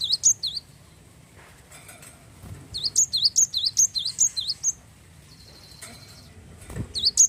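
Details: Wingko Java sparrow, a frequent singer, with song meant to get other birds singing: quick runs of five or six ringing, high V-shaped notes, a pause, a buzzy flat whine, then further notes.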